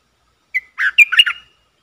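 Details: Decoy red-whiskered bulbul calling to lure wild birds, recorded 23/07/64: one brisk phrase opening with a clear whistled note, then a run of rich, slurred chirps lasting under a second, in otherwise quiet surroundings.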